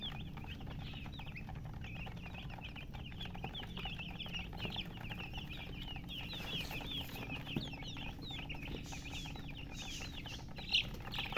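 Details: Coloured baby chicks calling out in thirst for drinking water: a constant chorus of thin, high peeps, many birds at once, rising in density toward the end, with a few louder clicks and low hum.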